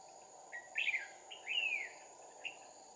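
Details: Red-whiskered bulbul in a trapping setup with two decoys, 2/4/2019: a few scattered whistled notes, including a longer rising-falling slur around 1.5 seconds, over a noticeable hissing background.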